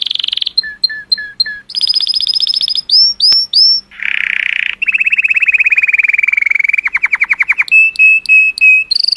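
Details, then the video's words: Vibrant color canary singing to stimulate females: short paired chirps, high trills and upswept notes, a harsh broad buzz, a long rolling trill sliding lower, then a row of steady high whistles. "Cheerful Color Canary Singing Joyously part 2 | تغريد كناري رائع، لتحفيز الإناث"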